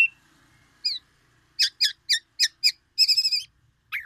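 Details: Black-naped oriole from Aceh, Sumatra, copying white-rumped shama notes: a series of five sharp high chirps, a brief rapid trill, then a falling whistled note.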